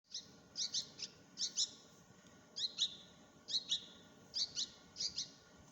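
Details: Bulbul baby birds being fed: thin, high squeaky double chirps repeated about every half second to one second, faint over a quiet background hiss.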